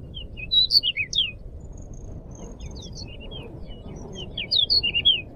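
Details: Pied bushchat singing actively, recorded as a tutor for cage birds: an opening cluster of fast, high slurred whistles, a quiet pause with faint notes, then a second lively burst, over a low hum.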